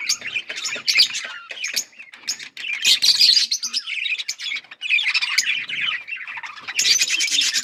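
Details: Australian parrots keep up a long run of overlapping chirps, squeaks and warbles, loud bursts alternating with short quieter gaps.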